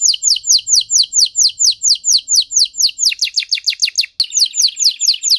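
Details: One of three master singing canaries repeating clear downslurred whistled notes about twice a second, the notes later quickening and dropping lower before the slow series resumes.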